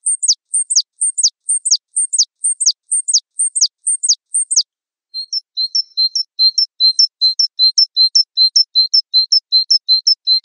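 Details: Wingko Java sparrow mastering recording: about a dozen crisp high notes that each slide steeply downward, evenly spaced, then after a short gap a long rhythmic run of paired chirps alternating between two pitches.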